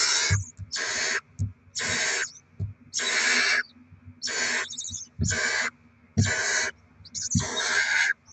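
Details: Barn owl nest with rodent deliveries and feeding of the young, 7 February 2024: eight rasping hisses in a brisk, fairly regular series, about one every second, with soft thuds underneath.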